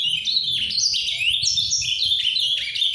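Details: Captive-bred ultramarine grosbeak (azulão) singing softly in surdina, showing the Paraná song style: an unbroken, fast warble of high, sliding whistled notes that rise and dip without pause, over a faint low rumble.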